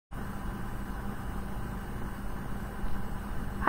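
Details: Steady low engine rumble like an idling vehicle, with no animal voice.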